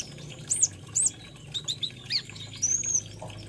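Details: Olive-backed sunbird, locally kolibri ninja or konin: a few high looping chirps, a short twittered phrase and one drawn-out thin whistle, over a steady low hum.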